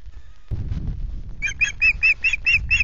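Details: Great tits at the nest at RSPB Loch Garten, Scotland, on 17 July: after rustling, a run of seven harsh, rasping calls repeated quickly, about four each second, over low wind rumble.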